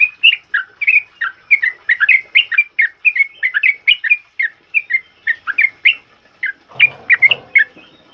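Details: Sooty-headed bulbul giving a loud ropel uplik song used to train other birds: a rapid, nearly continuous run of short whistled and slurred notes, about three per second, with a soft rustle near the end.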